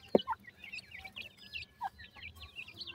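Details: Chicks of grey francolin calling to their mother with a steady stream of short, high-pitched cheeping notes that bend up and down, several overlapping, with a loud knock at the start.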